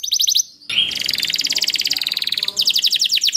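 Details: Canary song used as a lure to get other canaries singing quickly: a short high trill, a brief pause, then a long, even, fast trill of repeated notes, ending with a brighter, quicker trill.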